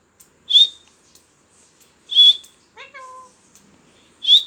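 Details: A talking parrot produces short shrill whistles spaced about two seconds apart, broken by a brief rising, nasal, multi-toned call; no other sounds are heard.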